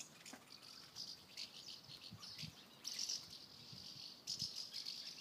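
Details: Several house martins flying around a house, giving dry, high chirping twitters in scattered bursts, with sharper clusters near the middle and end over faint background hiss.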